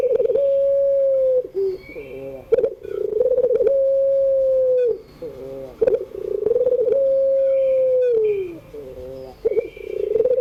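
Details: Afternoon song of a puter pelung dove: long level coos lasting over a second, each ending in a falling slur and followed by quick bubbling trills, three cycles in a row in a small indoor space.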